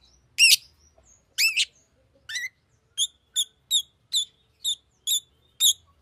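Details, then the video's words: Fischer's lovebird giving two loud ringing squeals, then a steady series of short high chirps repeated about every half second. "Fisher LoveBird Makes AMAZING Sounds!"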